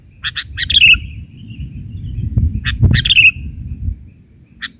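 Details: Sooty-headed bulbul in a chatty 'bahari'-style filler song: scattered sharp chirps and two clusters of quick notes, each ending in a sliding whistle, over low rumbling background noise and a constant thin high tone.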